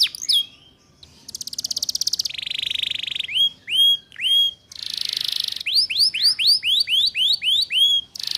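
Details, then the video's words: Female Atlantic canary luring males, for training young canaries in the ngeriwik sound: buzzy trills and a droning tone, hooked whistles, a hissing burst, then a regular series of rising-falling curved whistles about twice a second. "Suara Pancingan KENARI Paud Cepat Belajar BUNYI Ngeriwik"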